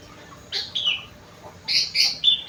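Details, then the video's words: Kutilang (sooty-headed bulbul) singing with a rengganis and cucak wilis fill: a brief warbled phrase, a pause, then a fuller burst of bright notes ending in a clear, steady whistle. "burung kutilang isian rengganis / cucak wilis"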